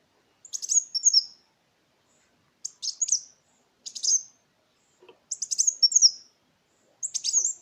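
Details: Kolibri Wulung sunbird song played as a lure to restart silent cage birds and train other songbirds; five brief, high, chirpy phrases with quick slurred whistles, spaced about a second apart, faint soft knocks.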